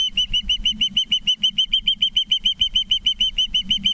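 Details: Evening osprey calls at a Charlo, Montana nest, September 19, 2023: an unbroken string of clear, piercing whistled notes repeated quickly and evenly, with a low hum beneath.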